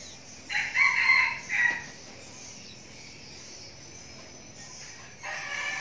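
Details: Young red junglefowl decoy bird crowing once: a harsh, broken crow lasting about a second with a short final note, followed by steady high insect buzzing and otherwise quiet surroundings.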